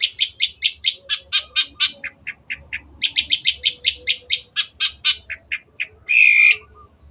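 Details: Singing Long-tailed shrike, lively and clear-voiced, recorded as a tutor for other birds: long run of rapid scratchy chirps with lower short notes between, closing with one loud, harsh, drawn-out squawk.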